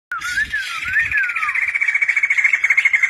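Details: White-crested laughingthrush kept in an aviary, singing vigorously: a few loud whistled notes gliding down and up, then a fast, steady run of repeated chattering notes, about two and a half per second.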